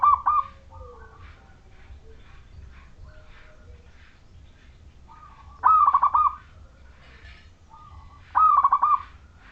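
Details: Zebra dove of the local Majapahit type, an eager singer whose clear song is played to coax other zebra doves to join in. Three bubbling, trilled coo phrases, each brief opening note followed by rapid pulsing, about every three seconds.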